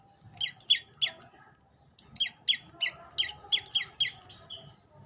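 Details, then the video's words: Olive-backed tailorbird calling loud, high, downward-sweeping chip notes, first a short group of three, then after a pause a longer even run of about eight. "Kicau indah burung prenjak lumut"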